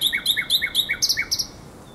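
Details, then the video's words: April night song of a common nightingale at the Żerań Canal, 2022: crisp, evenly spaced notes repeated about four times a second, shifting into a brief buzzy pair of notes before fading. "Śpiew słowika rdzawego na Kanale Żerańskim"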